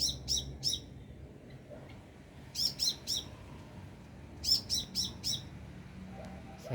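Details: Wild sunbird perched roughly two meters above, loud and close, giving sharp high chips in tight triplets, each group separated by about two seconds of quiet background hum.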